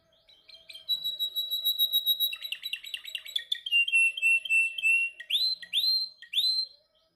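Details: Male canary practising its song in training: a steady high trill, then a buzzy rapid rattle, a lower rolling tour, and several loud, separate upward-sweeping whistles.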